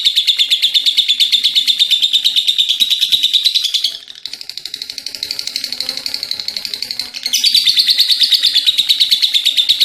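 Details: Long lovebird ngekek: loud rapid pulsed chattering, a softer, quieter passage in the middle, then the piercing chatter resuming strongly.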